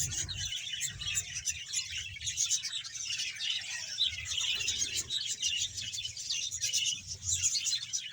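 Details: Colony of roughly one hundred budgerigar pairs in Bahawalpur, many birds chattering together in a steady wash of high twittering and squeaky warbles, some louder chirps near the middle, over a faint low background drone.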